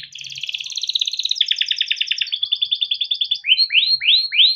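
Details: ['Long rolling song from a caged male yellow canary, used to teach young canaries: an unbroken buzzy roll changes speed twice, then four loud rising-and-falling swooping notes follow.']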